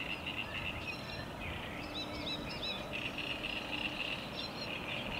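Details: Great Reed Warbler singing at Lake Czerniakowskie on 24 May 2021: a loud, harsh, chattering run of repeated notes, with other birds twittering higher up and a steady low rumble behind.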